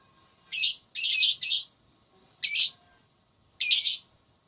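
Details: Lovebird in a singing-contest voice battle, uttering a cluster of three harsh, high, buzzy squawks, then two single squawks about a second apart.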